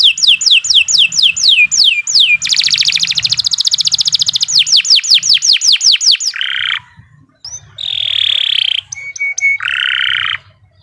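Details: Canary song for training caged birds, rapid repeated downward-swept whistles and a dense buzzing trill, followed by harsher rasping notes and short pauses near the end.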